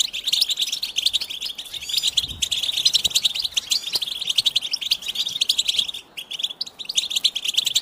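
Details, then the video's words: Goldfinch giving a continuous jangle of rapid high chirps and trills, with a brief dip in the chatter around six seconds. "Cute birds chirping to stimulate the goldfinch"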